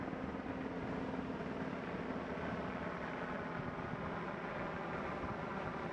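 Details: Constant wind buffeting and low engine-like rumble fill the recording on a beach, with no animal calls.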